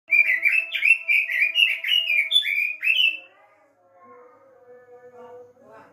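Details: Robin song used as a lure to make a kept bird sing: a rapid run of bright, warbled whistled phrases for about three seconds, then quiet with a faint steady background tone.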